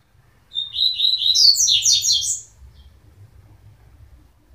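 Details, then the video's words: Coleiro song: a single fast phrase of rapid, high twittering notes rising into a tight cascade, followed by silence. "coleiro mind flayer"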